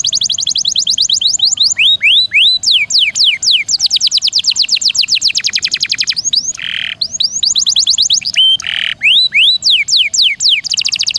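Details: Long-rolling canary song with 'tembakan' shot variations for tutoring songbirds. Dense high trills alternate with clear falling whistled sweeps and short buzzy bursts, continuous and loud.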